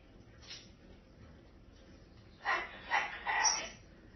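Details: Harley the cockatoo, watching the neighbours at a vacation home, gives three harsh, raspy squawks in quick succession after a faint earlier note, in a quiet indoor setting.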